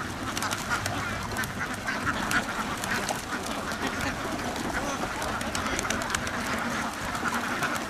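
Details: Many farm ducks in a duck house give a dense, unbroken chorus of overlapping nasal quacks, loud and steady throughout with no pauses, with faint voices in the background.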